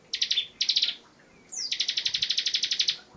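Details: Bar-winged prinia, 'ngebren' song: two brief buzzy pulse bursts, then a falling whistle leading into a long trill of around fifteen evenly spaced buzzing pulses.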